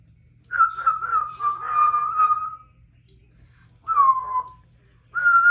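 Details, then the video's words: Three-year-old female Congo African grey parrot, a pet in a country home, chatting: clear speech-like vocal phrases, a long slightly falling sustained utterance followed by two shorter whistled-sounding words, with quiet pauses between. "Symon is a chatty girl today"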